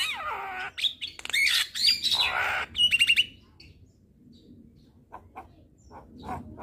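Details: Javan myna tutor and lure song: opening with loud, harsh, squawking phrases and a few high whistled notes, then a quick burst of four sharp clicks, fading into quieter, scattered chirps.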